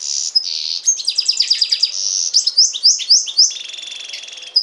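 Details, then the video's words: Goldfinch and canary hybrid singing: a fast run of high twittering notes, rapid downward-sweeping chirps and short buzzy trills, with a scratchy rattled stretch near the end, all bright and high-pitched. "carduelis carduelis x canaria"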